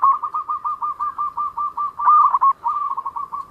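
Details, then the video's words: Local zebra dove giving a fast, even trill of about twenty evenly pulsed cooing notes, interrupted midway by a louder, wavering accented phrase before the trill resumes. "perkutut lokal gacor_ suara mempunyai ciri has"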